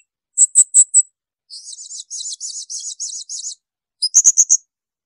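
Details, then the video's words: A blue-crowned hanging parrot gives very high, shrill bursts: four sharp notes, a rapid buzzy run of about eight, then five quick piercing notes; no other sounds. "Masteran tembakan melengking serindit"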